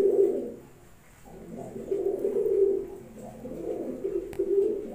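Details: Low rolling coos from Pakistani Highflyer pigeons, swelling and fading in several bursts, a brief click near the end.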